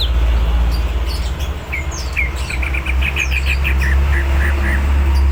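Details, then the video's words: Greater green leafbird, said to be in full song and ready to fight, giving a quick series of short upward-flicked whistled notes repeated about three times a second over a loud steady low hum. "Burung cucak ijo gacor,hiper siap tarung.!!!!"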